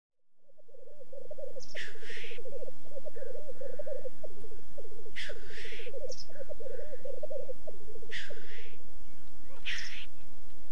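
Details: Black grouse in courtship display at a lek in the French Alps: continuous low bubbling, cooing rookoo phrases rolling in rapid pulses, broken by loud harsh hissing sneezes about every three seconds.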